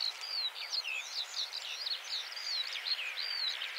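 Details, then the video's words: A Eurasian skylark sings to mark its territory, pouring out an unbroken, high stream of chirrups, slurred whistles and quick trills, varied note to note, over a faint hiss. "Vogelstimmen: Die Feldlerche - Skylark - Alauda arvensis"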